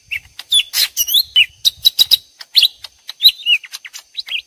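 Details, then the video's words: Two lesser green leafbirds trading song back and forth as though fighting, combined into a trapping lure: sharp high chirps, bright slurred whistles and short rattly bursts, fast and nearly continuous. "suara jitu pikat ijo mini"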